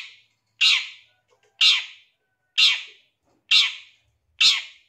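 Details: Harsh grating squawks of a long-tailed shrike, used as lure material to make a shrike sing fast and get agitated; five strong rasping notes spaced about one second apart, nothing else audible.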